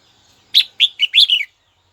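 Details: Red-whiskered bulbul calling a rival, used to fire up other bulbuls: one short burst of four or five bright, warbled notes, slurred and clipped, lasting about one second, then silence.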